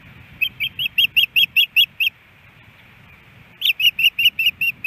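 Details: Ospreys at a nest in Hellgate Canyon, Missoula, Montana, early morning on April 18, 2018, with fish at the nest, caught on a nest camera: two bursts of sharp, high chirps repeated rapidly, about eight per burst, with a pause between bursts and a low rumble beneath.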